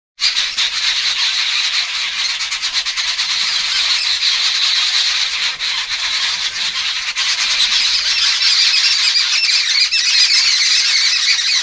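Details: Jungle babblers in Kollam, Kerala, in April 2024 keep up a harsh, squeaky, continuous chatter of overlapping calls, about three a second, high-pitched and scratchy throughout.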